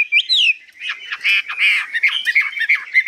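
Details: Caged hwamei, newly acquired and described as 85% tame, singing high with long phrases: a varied burst of bright whistles and rising slurs, then clipped, ringing notes in quick irregular succession.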